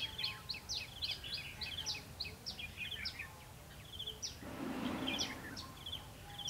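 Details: Red-whiskered bulbul singing during a trapping session on 21 October 2016: bright whistled phrases of quick rising and falling notes, repeated rapidly with overlapping voices, then a burst of rustling noise near the end.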